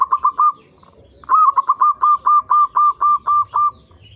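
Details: Local zebra dove song on a lure track to make fellow zebra doves sing: a short stuttered trio of coos, a pause, then a rising start leading into a long, regular series of clipped cooing notes.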